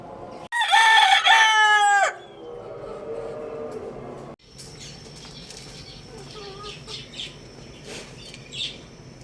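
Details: Rooster crowing: one loud, harmonic-rich crow lasting about a second and a half, held fairly level, then dropping away. A quieter stretch of rustling, flapping-like noise and faint chirps follows.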